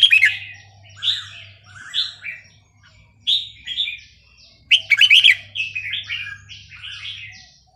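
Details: Red-whiskered bulbul in Burmese song style, played to train young birds: rich warbled phrases of rising and falling slurred notes, paced about once a second, with a loud chirpy cluster past the midpoint and a faint low hum.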